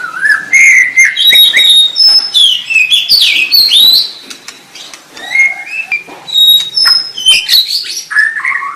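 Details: White-rumped shama delivering a long, varied song of clear whistles, upslurred and downslurred notes and buzzy flourishes, in phrases with short pauses.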